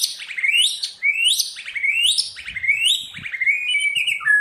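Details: Caged white-rumped shama in 'forest voice' song training, repeating a rising whistled sweep about once a second before ending on a level whistle and a lower note, with faint tapping below.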